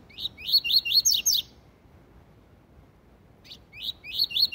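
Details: Tui tui zel zel song of a Double-collared seedeater, a style used to train young birds: a fast burst of five or six sweeping, slurred whistles, about two seconds of silence, then the phrase starts again with chirpy notes.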